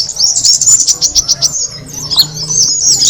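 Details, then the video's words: Kemade bird calling to attract other birds, a shrill, fast chatter of high chirps in quick bursts, briefly easing in the middle before the twittering picks up again over a soft low hum. "the sound of the kemade bird attracting noise"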